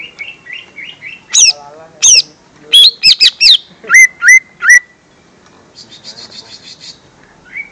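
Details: Lure song of a lesser green leafbird aimed at young birds: varied loud whistles, some swooping high and falling, others hooked and repeated three times, followed by a faint fluttering trill and a short rising note.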